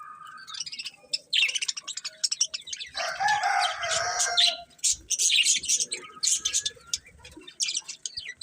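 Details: Budgerigars chattering steadily, with rapid high chirps and a longer harsh, rasping warble in the middle, then more clipped twitters.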